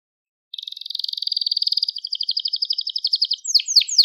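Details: Crested Gloster canary song for teaching young birds: a long, steady, rapid trill of pulsed notes lasting about three seconds, ending in a few sharp descending whistles.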